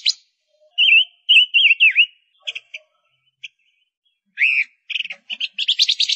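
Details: Female Gouldian finch lure bird calling with a run of wavering whistles ending in a downward swoop, then scattered clicks and a buzzy, accelerating chatter at the close.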